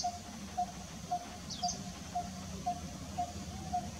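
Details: Coppersmith barbet (Psilopogon haemacephalus) perched on a very small tree in Kanha National Park, Madhya Pradesh, India, February 2023, giving a steady, low, hollow 'tuk' about twice a second; a brief high chirp from another bird and soft background hum.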